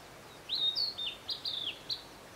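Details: At Matsunoyama Onsen in Japan a Narcissus flycatcher sings a crisp phrase of high, slurred whistles, rising and falling in quick succession, with five or six distinct notes and a quiet backdrop.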